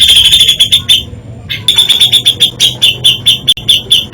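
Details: Grey-cheeked bulbul singing a variation of isian song: quick strings of sharp, ringing high notes in two bouts separated by a half-second pause, each note clipped and evenly repeated.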